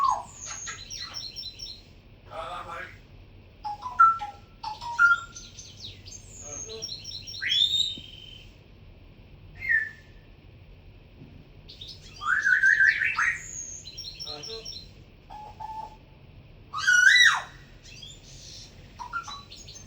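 A cockatiel chirps and whistles in quick, varied bursts separated by short pauses.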